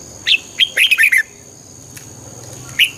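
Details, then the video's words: Red-whiskered bulbul song meant to excite a bird: a rising chirp, then a quick burst of five bright, bubbly whistled notes after a short pause, and one more lone chirp near the end. "เสียงนกกรงหัวจุก ชัด 100% เปิดต่อ ให้นกคึก"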